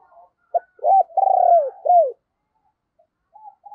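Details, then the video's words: Spotted dove used as a decoy, urging and cooing to draw in wild doves; a short note, then loud, low, arched coos joined into a rolling phrase, followed by quiet faint notes near the end. "Tiếng Chim Cu Mồi Thúc Và Gáy Gọi Bổi"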